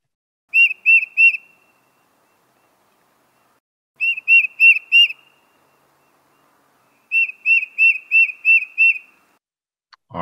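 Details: Tufted Titmouse in an urban park habitat sings three bursts of clear, whistled 'peter peter' notes, three, then four, then six, about three seconds apart; a click ends the clip.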